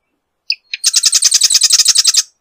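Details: Marsh wren song: two brief introductory notes, then a rapid, rattling, buzzy trill of about fifteen evenly repeated notes lasting nearly a second and a half.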